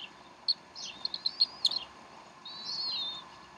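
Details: Decorah Bald Eagle nest, 12 April 2012, during an afternoon feeding: a cluster of quick, high, clipped chirps followed by one long, drawn-out wavering whistle, background hum steady throughout.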